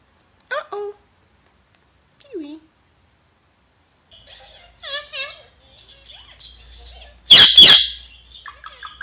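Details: Alexandrine parakeet, known as the Pakistani ringneck, talking: short speech-like phrases with stacked tones separated by pauses, then two loud harsh squawks near the end, in an otherwise quiet setting.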